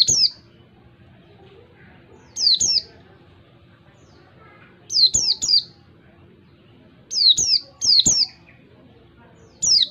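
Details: Wild-type ngalas song of an Oriental white-eye, clear for training other birds: sharp, high, doubled and tripled chirps in quick clusters, spaced by two-second gaps of near silence over a soft low hum.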